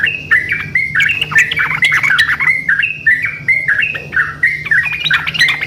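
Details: Lively yellow-vented bulbul duet-like exchange used as a lure: repeated bright, slurred whistled notes with scratchy interjections, a steady rapid back-and-forth rhythm, and a faint low hum behind.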